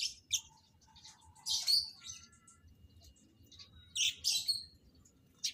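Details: Lovebirds in a breeding setup, being paired to mate, utter loud harsh screechy chirps in short clusters separated by quieter gaps, over a steady low hum.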